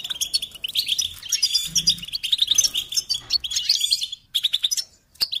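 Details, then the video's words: Goldfinch song for training chicks: a lively, high twittering stream with buzzy trills, a sudden brief silence after about four seconds, then short bursts of chirps. "Encouragement to motivate and support goldfinches in songs"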